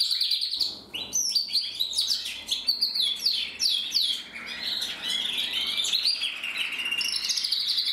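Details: Male canary with red-black plumage and a crest, 2024 breeding year, in full song: fast sweeping whistles and dense high trills after a brief quiet start, running on without break.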